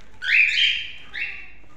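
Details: A pet cockatiel giving a long, loud, rising whistle followed by a shorter, softer whistled note, in a quiet room.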